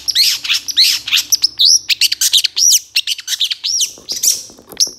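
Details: Long-tailed shrike (cendet) song from a master recording for training songbirds, full of varied fills: a dense, rapid stream of high, overtone-rich chirps and upslurred whistles with barely a pause.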